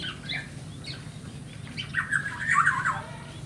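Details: Begging black-naped oriole chick: faint short chirps early on, then a loud, wavering, nasal squawk sustained for about a second near the end, over low background noise.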